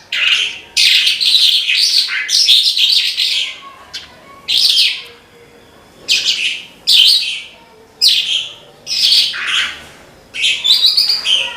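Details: Horsfield's bush lark (branjangan) pouring out 'gacor' song: a long series of short, piercing, scratchy phrases, each around half a second, repeated about once a second with small silences between.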